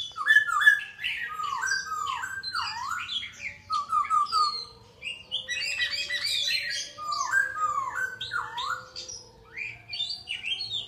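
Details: Bird pouring out a long, varied song: clusters of swooping whistles, repeated downward-sliding notes, and a brief rapid trill. Short gaps separate the bursts, and a faint low hum sits underneath.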